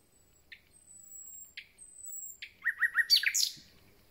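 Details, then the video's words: Common nightingale song from newly arrived birds: thin high drawn-out whistles, then a short burst of quick repeated notes rising into a sharp trill. "Słowik rdzawy i jego piękny śpiew"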